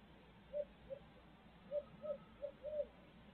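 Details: Midtown Tulsa barred owl hooting in a measured sequence: two spaced single hoots, then a quicker run of four, the last one longer and slightly slurred. Faint low hum underneath.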